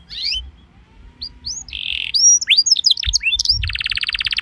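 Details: Canary lure song for prompting other canaries to answer: soft opening notes, then a buzzy held phrase, rising and falling whistled slurs, and a closing rapid, even trill of short pulses.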